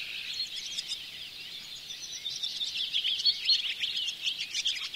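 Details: Barn swallows at a bird hide in Oostvaardersplassen, September 2016, captured with a Panasonic Lumix GH4: soft, high twittering that builds in the second half into livelier squeaky chirps and a few sharp notes.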